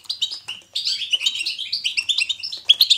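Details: Batbata of the European goldfinch, natural and lively, picked to encourage goldfinches to sing. A quick chirp opens, a short silence follows, then a steady stream of bright, twittering, slightly buzzy phrases runs without pause.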